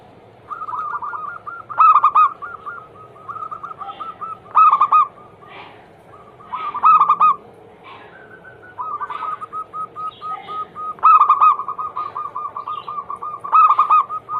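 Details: Zebra dove song used to stimulate other doves to sing: repeated phrases, each a loud warbling burst of coos alternating with strings of soft, quick, evenly spaced notes, carrying on continuously in a quiet setting.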